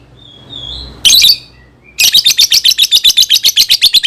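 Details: Lovebird song for teaching young birds: a short harsh burst, then a fast, steady chatter of rasping chirps, roughly four or five a second, continuing to the end.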